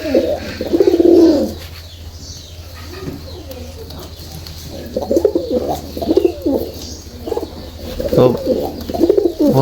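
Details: Two pairs of domestic pigeons for sale, including a red-bordered (lal bordar) male with a Jalali female, give deep, throaty rolling coos in repeated bursts, with a person talking between them.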